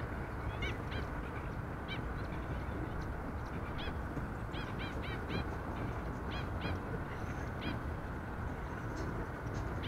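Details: Black-winged stilts at Sydney Olympic Park in the morning, seen from a bird hide, giving sharp, yapping notes, singly and in quick runs of three to five, over a steady low rumble of wind and distant traffic.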